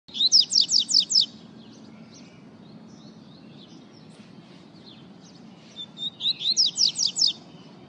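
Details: Double-collared seedeater song: a fast series of high, sharp downslurred notes, about five in quick succession, then quieter twittering, and the rapid note series returning at the end.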